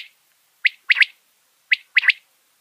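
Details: Common quail in a summer meadow giving its liquid three-note 'wet-my-lips' call, one short note then a quick pair, repeated twice about a second apart; nothing else heard.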